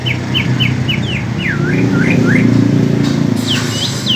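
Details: Greater green leafbirds, one from East Kalimantan and a spotted one from Alas Purwo, Banyuwangi, in a singing contest: rapid clear whistled notes, first short even chips, then swooping up-and-down slurs, over a loud steady low hum.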